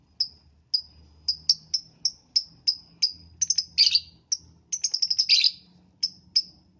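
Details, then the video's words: Morning lovebird song meant to prompt other lovebirds: dense chains of shrill high chirps, at first evenly spaced, then crowding into quick rattling bursts with a few harsher notes, over faint low background noise. "Pancingan Lovebird di pagi hari"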